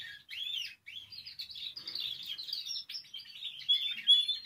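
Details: Domestic canary, a Spanish timbrado, sings a continuous, rapid stream of high metallic trills and rolling chirps, with no other sounds; a song-learning recording for young canaries.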